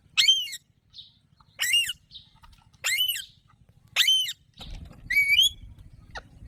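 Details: Alexandrine parakeet giving harsh, ringing calls with strong overtones, five in a row about one to one and a half seconds apart; a faint low hum rises under the last call.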